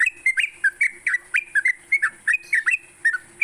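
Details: Sooty-headed bulbul singing in the morning, a lure recording for training kept songbirds: bright whistled notes sliding around mid pitch, about four per second, over a steady high electrical hiss and a faint low hum.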